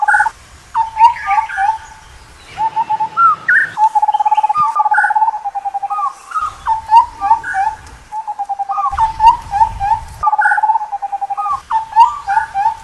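Indian scimitar babbler giving mellow, low fluty whistles, repeated rapidly in bubbling runs with a few higher notes mixed in; faint low rumble in places.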